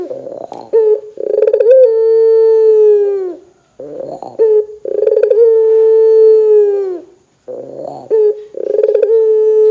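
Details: Barbary dove in strong calling form, played to make other doves call: three repeated phrases, each a rough, pulsed start rising into a long, level, hollow coo that drops slightly at the end.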